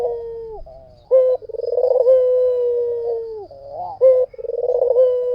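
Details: White dove in vigorous song. A soft falling coo and a loud accented note open a throbbing trill, which flows into a drawn-out steady coo that slides downward. The pattern then starts again.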